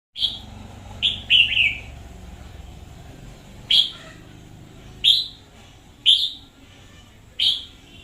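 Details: Red-whiskered bulbul, a lively decoy bird, recorded in 2021: short, bright warbled phrases repeated at irregular intervals, a quick cluster of three early on, then single phrases every second or so over faint low background hum.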